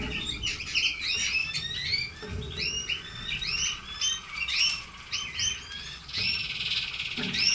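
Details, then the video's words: Several pet red canaries singing: bright, quick swept chirps and short twittering phrases, repeated in bursts with brief pauses, over a low background rumble. "Canary sings"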